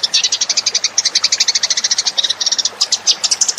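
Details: Lure call of a Eurasian tree sparrow, made of dense, high, clipped chirps repeated rapidly in uneven bursts, with brief pauses between clusters.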